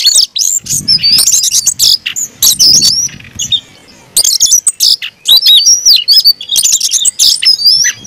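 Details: Oriental magpie-robin (kacer) in aggressive fighting song: rapid bursts of sharp high notes and looping whistles, a short quieter gap midway, then more dense chattering phrases.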